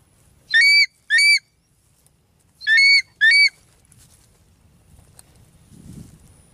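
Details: A light-morph changeable hawk-eagle, while hunting a Mandar bird, gives four shrill, high, slightly arched whistled notes in two quick pairs, followed by a low background rumble.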